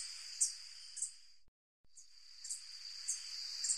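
Very high, thin, sharp notes from a white-tipped sicklebill, spaced about every half second, over a steady shrill insect drone with a brief break.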